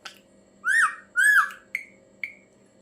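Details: Ashy drongo giving a strange call: two slurred whistles, each rising then dropping, followed by two short sharp chip notes.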